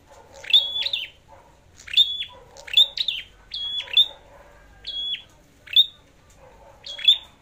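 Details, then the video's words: A red-headed flowerpecker sings as in a singing contest, giving bright, high-pitched phrases of sharp chips and short flat whistles. The phrases come in clusters, with gaps of under a second between them. "Chim Sâu Đầu Đỏ Hót Đấu"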